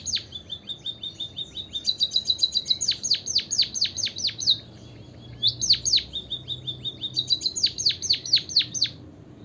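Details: Repeated song phrases from a white-headed munia: a flat, thin buzzy trill gives way to bursts of rapid, high, steeply descending whistles. The pattern comes three times with short pauses between.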